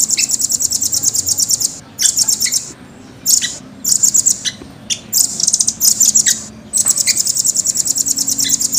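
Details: Caged velvet-fronted nuthatch with clear, fast, closely spaced high trills, alternating long rolls and short clustered bursts over the whole recording.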